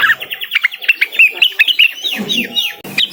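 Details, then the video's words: Cucak wilis, the blue-winged leafbird, in full song calling out to a rival: a fast, continuous stream of sharp, high chirps and short slurred whistles, trailing into softer lower twitters near the end. "suara burung cucak Wilis / gacor memanggil lawan"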